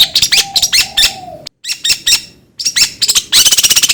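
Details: Long-tailed shrike song used as a lure to stimulate another bird to sing readily: bursts of harsh, scratchy high notes and fast chattering, broken by a brief silence and a low steady hum near the start, ending in a rapid rattling series.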